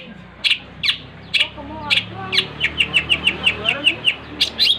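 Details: Long-tailed shrike singing persistently: harsh, sharp chip notes, a few spaced at first, then a quick evenly repeated series of about ten, with low talking faintly underneath.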